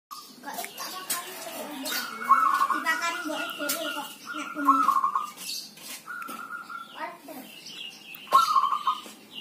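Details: Kept zebra dove singing during rain or drizzle, a healthy bird that sings whatever the weather; stuttered cooing phrases near 2.3, 4.8 and 8.4 seconds, with clicking patter, other faint bird notes and background sounds.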